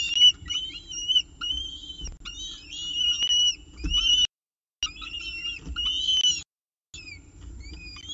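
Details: Peregrine falcon at its CSU Orange nest with breakfast, 19 October 2018: wavering, whistled whining notes with harmonics, rising and falling in overlapping runs, two brief gaps, steady low electrical hum beneath.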